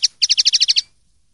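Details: Common linnet with a clean song of the Spanish silvestrismo style: one sharp note, then a quick run of about eight bright, evenly spaced high chirps lasting under a second.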